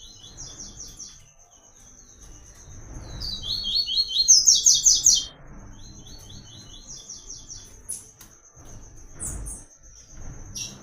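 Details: White-collared seedeater singing the "Tui Tui" training pattern: high rapid trilled notes, a loud burst of repeated slurred high phrases around the middle, then a thin steady trill continuing with brief sharp clicks and low rumble.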